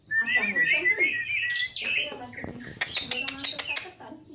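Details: Javan pied starling singing a busy 'gacor full isian' song: whistled notes near the middle register, then a rush of sharp, scratchy clicks and rasping bursts, loud and fast throughout.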